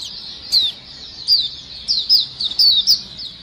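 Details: White-eyes in a lively flock chorus used as a lure sound: high, thin chirps sliding downward, clustered in short bursts with brief gaps, over a faint low background hum.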